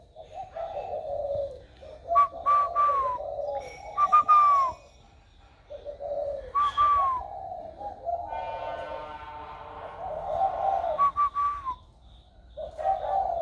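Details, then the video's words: Spotted dove, said to have newly found a warm voice, recorded 16 February 2020: low husky cooing phrases broken by pauses, mixed with frequent bright, falling whistles and chatter from other birds. "Cu gáy mới nổi giọng ẤM"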